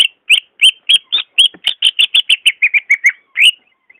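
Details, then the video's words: Greater green leafbird, a caged bird's song used to prompt another leafbird that is slow to sing: a fast run of about seventeen short whistled notes, rising and falling slurs repeated several times a second, with a brief pause before a final upswept note. "SUARA ASLI BURUNG CUCAK IJO"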